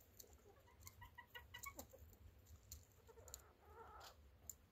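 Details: Chicken clucking in short, harmonic notes, several quick clucks in a loose series through the first two seconds, then softer, drawn-out murmuring notes near the end, over steady low background rumble and occasional clicks.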